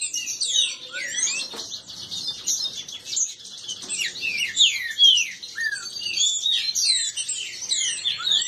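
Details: Green-winged saltators kept in captivity, several birds contesting in song; clear descending and upslurred whistles overlap in a busy, unbroken tangle, with a few louder notes standing out midway.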